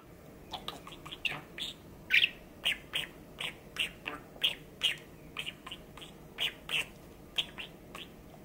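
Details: Pet male budgerigar, six and a half years old, recorded indoors on Labor Thanksgiving Day, 23 November 2021: a steady series of short, sharp, bright chirps, about three per second, some louder and harsher, over a faint low hum.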